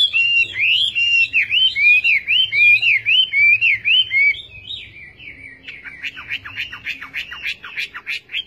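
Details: A Chinese hwamei repeats a swooping whistled phrase about seven times, then switches to a quicker, buzzier string of notes that fades slightly toward the end.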